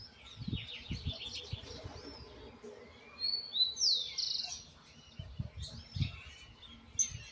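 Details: Young Argentine white goldfinch still learning its "misisipi" song, basic pattern in place with details to correct; rapid high twittering notes and sharp whistled slurs, some bursts rising and falling, over low background thumps.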